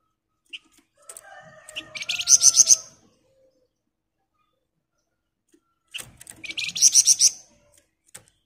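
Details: Sunda bush warbler singing continuously in the dense ngebren style; two high, buzzy pulsed bursts about five seconds apart, each of quick rapid notes building louder, with faint lower tonal whistles between.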